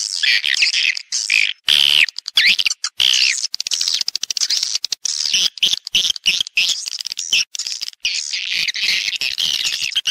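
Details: Swiftlets in a stereo recording of calling (panggil) and roosting (inap) sounds: busy high chatter with buzzy trills and a few clear whistled slurs, crackling irregularly throughout.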